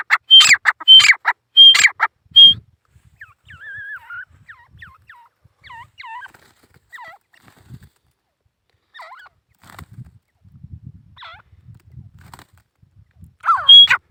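A male grey francolin gives four loud, harsh, ringing calls in quick succession, then one more at the end. Softer whistled chirps from other birds fill the gap.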